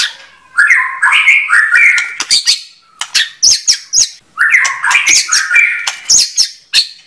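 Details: White-rumped shama delivering two rich warbled phrases of jumbled whistles and rasps, each followed by sharp, high clicking notes.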